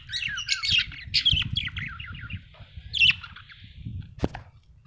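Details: Budgerigar in a happy mood chattering with rapid scratchy twitters, fading to a thin drawn-out note, over low background noise and a single sharp click.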